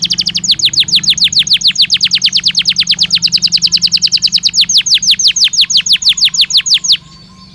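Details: Belgian canary song played as a stimulus to warm up and prompt canaries to sing: long fast trill of high downslurred notes repeated about three per second, steady for seven seconds before stopping, faint low hum beneath.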